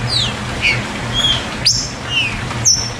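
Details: A green-winged saltator (Saltator similis) gives "chuva" song, used to stimulate captive birds: clear descending whistled notes and sharp high chirps, roughly every half second, over a low steady hum.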